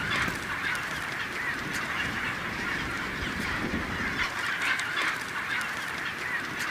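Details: Chinstrap penguins in Antarctica make a dense, steady din of harsh, braying calls from many birds at once, overlapping without pause, with no other sounds standing out.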